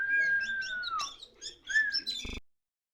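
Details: Kacer Poci oriental magpie-robin, released yet still in full song, holding a long pure whistle before breaking into quick varied chirps, ending with a brief clicking burst.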